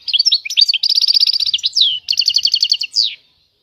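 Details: Short burst of goldfinch song: rapid twittering notes running into an even, ringing trill, a brief gap, another trill and a final sliding note.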